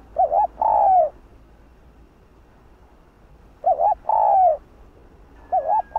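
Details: Spotted dove (cu đất) of the 'hạp bổi' voice style repeats the same phrase: a wavering looped note and a long falling coo, about every three seconds, with a third phrase just starting.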